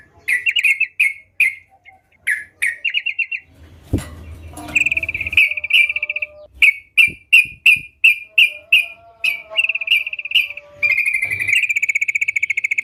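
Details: Sooty-headed bulbul singing vigorously: short buzzy, rattling chirps repeated rapidly in bursts, some rising, with a louder thump and low rumble near the middle and a fast high ticking series at the end.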